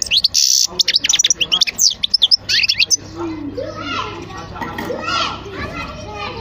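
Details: European goldfinch giving about three seconds of quick, high twittering and tinkling trills, which then stop and give way to people talking over a low background hum.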